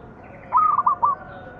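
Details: Local zebra dove (perkutut) singing, a manggung song used as a lure to make other doves sing: one short stuttering phrase of three or four mellow cooing notes, the first rising, the rest quick and clipped, over faint background hiss.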